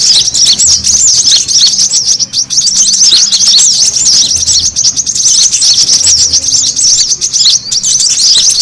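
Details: Brown-throated sunbirds chattering noisily, played to attract birds: a constant wall of high, thin twitters and curling chirps, fast and overlapping from start to finish.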